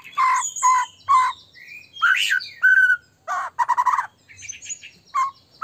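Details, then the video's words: Energetic white-rumped shama song used as a lure for other shamas: loud, repeated harsh chattering bursts alternating with clear whistled slurs and a short rattling series, all in quick succession. "murai batu gacor AMPUH buat PANCINGAN murai batu agar bunyi JADIKAN burung murai LANSUNG EMOSI"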